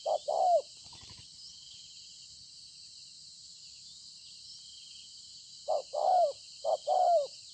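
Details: Wild-caught spotted dove from the fields, 26 September 2020: one coo pair at the start, a long silence with only insect hiss, then two more short-then-long coo pairs near the end.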